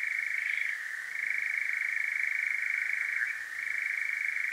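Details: Night-time churr of a European nightjar, Devon, South West UK, parabolic mic: a purring, fast-pulsed trill that softens and drops briefly twice, otherwise sustained and even.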